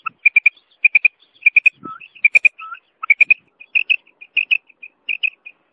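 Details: Female common quail, hunter's recording, giving steady bursts of three sharp high notes roughly every half second, with occasional low rising whistles and faint softer notes between.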